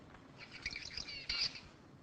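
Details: A male zebra finch's learned song, one of three males' individually different songs: a brief burst of buzzy, nasal syllables with a harsh, rasping note near the end, played quietly in a large room.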